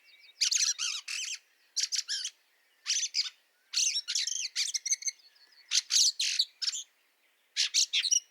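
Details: Fieldfare in snow at Liepāja, Latvia, March 2023: harsh, dry chacking calls in rapid clusters of two to four, repeated about ten times over eight seconds, with faint thin whistled notes between bursts in otherwise quiet air.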